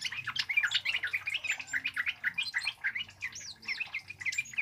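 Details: A Scarlet-headed flowerpecker sings a rapid, continuous stream of thin, high chips and short twittering notes, several per second, with no other sounds.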